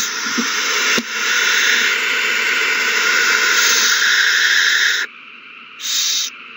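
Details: Owls at their nest in a frenzy over a delivered mouse, 21 March 2020: long, continuous harsh hissing that stops abruptly, followed by one short breathy hiss burst.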